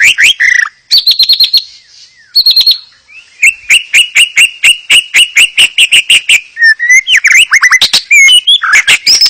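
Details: Song of a white-rumped shama, played to prompt other shamas to sing: dense, loud phrases of whistles and trills, with a long steady run of repeated notes and crisp clicking accents.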